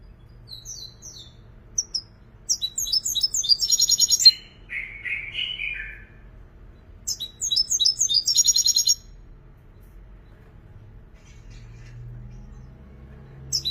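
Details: European goldfinch giving two bursts of song: quick twittering notes building into high rattling trills and a lower buzzy phrase, a pause of a few seconds, then another tinkling twittered run, then near silence.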